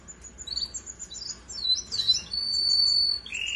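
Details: A Russian canary's song of rapid, high twittering phrases that lead into a long, pure sustained whistle and a lower closing trill, with a soft steady hum beneath.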